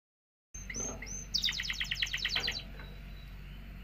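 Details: Canary singing to stimulate mating; after a brief silence come a few thin whistled upslurs, then a burst of rapid stacked chirps, against a steady low hum.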